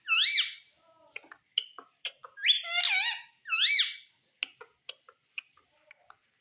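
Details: Indian ringneck parakeet kept indoors, said to talk and say mummy and papa; loud harmonic rising-falling squawked syllables in short bursts, with scattered clicks and small knocks between them.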